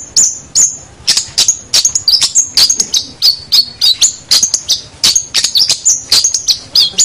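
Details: Long-tailed shrike, recorded for training other birds: a continuous rapid stream of sharp, high chipping and whistled notes, several per second, with slight pitch twists and no other sounds.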